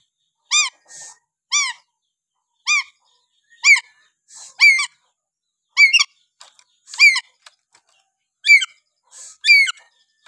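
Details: Lory in Papua giving natural whistles: short, sharp, strongly harmonic notes spaced irregularly roughly once a second, with soft breathy sounds between them.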